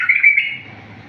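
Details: Bulbul in wild-style song, recorded as a clear model for teaching bulbuls: a short rich warbled whistle that wavers in pitch for under half a second, then fades away into quiet.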